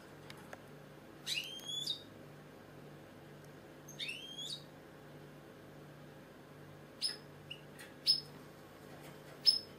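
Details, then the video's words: A European (British) goldfinch sings two quick bursts of bright, tinkling twitter, then several sharp, high single notes spaced a second or so apart, over a faint low hum. "British Goldfinch singing"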